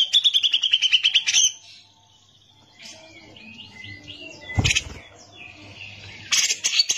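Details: Caged cucak jenggot, the grey-cheeked bulbul, in gacor song used as masteran for training other birds: a fast, loud trill on a level pitch that breaks off, then soft chattering phrases and two harsh bursts, with a low background hum.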